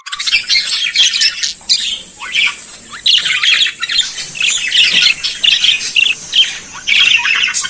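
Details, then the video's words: Budgerigar warble: a continuous stream of squawky, grating notes, clicks and thin chirps with no real pause, steady and busy throughout, over faint low background hum. "periquito Austráliano"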